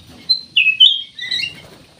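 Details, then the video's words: Vigorous black-naped oriole song used as a lure for other songbirds: three quick high notes, a descending slur then a rising one, followed by a softer buzzy phrase. "CUCAK EMAS \ KUTILANG EMAS GACOR, BUAT PANCINGAN"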